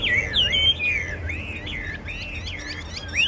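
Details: Chinese hwamei singing in a contest, delivering a rapid, continuous run of loud, clear whistled notes that slide up and down, with bright swoops and quick slurred phrases and a low background hum.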